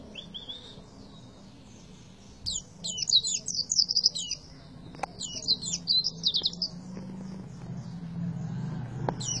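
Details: High, rapid twittering phrases from an Oriental white-eye in tembakan song style, after a quiet start, with a few sharp clicks and a low rumbling hum building toward the end.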